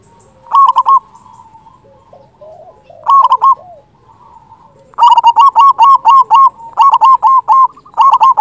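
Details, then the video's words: Local zebra dove with a big, loud voice, used to lure doves for trapping and to stir quiet or stressed doves into singing; bursts of rapid, bubbling coos, then a long steady run of repeated rolling coo notes in a small room. "Perkutut lokal gacor suara besar"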